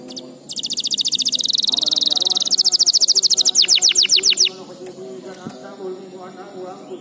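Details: Canary song used to train young canaries: a dense high trill swelling louder, then a string of rapid downward-sweeping notes stopping abruptly. Quiet background chatter and low murmuring follow.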